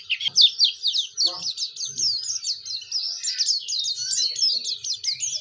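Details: Oriental white-eye singing hard, intended to get other white-eyes singing too, a rapid chain of high zigzagging whistles and sputtering trills, with a few soft low thumps and faint background sounds.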